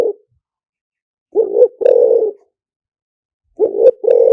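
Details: Spotted dove decoy song in the style called lìw tan, used to lure wild doves: a low hoarse coo in two parts, a short rising note then a longer buzzy one, heard twice with silence between.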